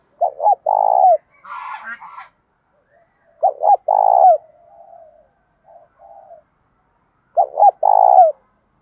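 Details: Spotted dove cooing in fighting and calling style, loud and clear: repeated phrases of two quick hoots and a drawn-out, tremulous coo, with a brief harsher chirpy sound and faint soft notes between.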